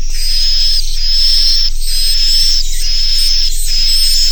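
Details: Swiftlet farmers' Naga Mas inap call for edible-nest swiftlets, played to make juveniles roost; even, buzzy chirp bursts with a high whistled streak, roughly five in four seconds, over constant hiss.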